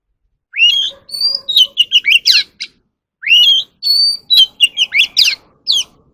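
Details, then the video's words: Oriental magpie-robin, a cage bird, singing for voice training. It gives the same phrase twice: a rising whistle, a held high note, then a rapid volley of bright chirps and slurred whistles, with a pause between the phrases. "kacer alam | choè than luyện giọng || Choè than kích bổi ra giọng เสียงนกกางเขนบ้าน"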